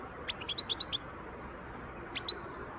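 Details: Wild European goldfinch, recorded in 2023: a short burst of high, quick chirping notes, then a pause and two more sharp tweets over a steady low background hiss.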